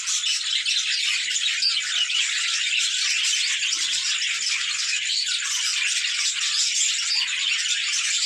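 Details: Many budgerigars playing, heard as a thick, even mass of high-pitched twitters and scratchy warbling notes running without a break.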